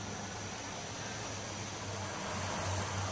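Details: Steady low engine rumble and broad road hiss run throughout, with no animal calls heard.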